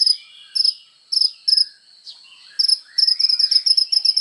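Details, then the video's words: Kolibri ninja sunbird singing actively, used as training material for songbirds: sharp, very high chipping notes in short paired bursts, separated by brief gaps, then a quicker run of repeated chips near the end. "SUARA BURUNG KOLIBRI NINJA GACOR FULL TONJOLAN"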